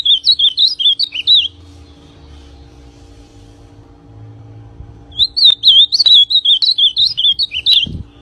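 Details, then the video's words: Ultramarine grosbeak singing a lot: two bursts of rapid warbled, wavering notes, each about 1.5 to 3 seconds, separated by a quiet gap with a faint low hum and a click near the end. "Azulão pintão cantando muito"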